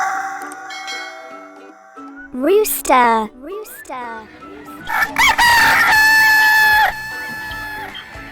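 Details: Rooster crowing over soft background music: a short rising crow with strong harmonics, then a longer, drawn-out crow that holds steady for nearly two seconds before breaking off.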